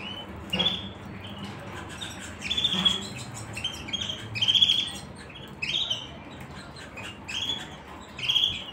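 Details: Canary, described as a white canary from the United States, giving short, sharp, high chirped notes repeated in loose bursts every second or two over a steady background hiss.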